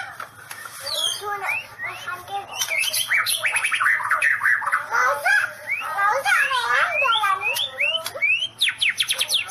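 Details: White-rumped shama singing in the style called 'sambaran listrik' ('electric strike'): a loud, rapid, varied run of whistled notes, sweeping slurs and warbled phrases tumbling over one another, with sharp upward flicks near the end.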